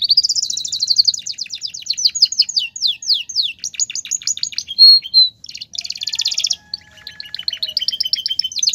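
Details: Male caged Belgian canary singing campainha style, a song used to court females and assert dominance: fast high trills in repeated rolling series, a clear whistled note, then buzzy rattles.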